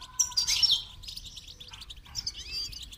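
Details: Brief goldfinch song for training, a loud twittering burst at the start, then buzzy trills and quick upward-sliding notes, clear over quiet surroundings.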